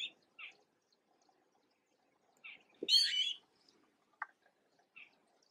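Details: Fledgling Red-billed blue magpies in Uttarakhand, India, awaiting feeding: one loud, harsh screeching call near three seconds, framed by a few short chips and a knock amid near silence.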